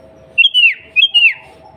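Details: Female sooty-headed bulbul calling for the male, used to trigger bulbul song: two warbling whistled phrases that rise then sweep downward, close together, with a low hum in the background.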